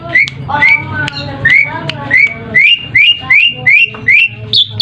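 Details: Asian pied starling singing as a lure to draw replies from other birds: clear upward-slurred whistles repeated at uneven intervals, each with a brief harmonic echo, ending on a higher sharp note.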